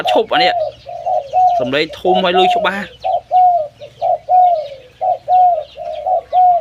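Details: Loud-voiced zebra dove cooing: after a few seconds of a person talking, short, slightly falling cooing notes repeat about once a second in a steady rhythm.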